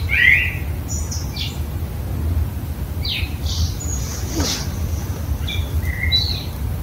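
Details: A common blackbird (Turdus merula) sings an unusual morning song in a house courtyard, heard there for about a week. It gives brief fluty notes followed by high, thin twittering phrases with pauses, over a steady low rumble and a faint whoosh.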